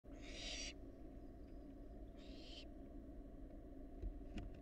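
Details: Wild barn owl fledgling at a monitored nest box: one loud harsh, breathy screech lasting under a second, then a softer second burst, over a steady low hum, with a faint click near the end.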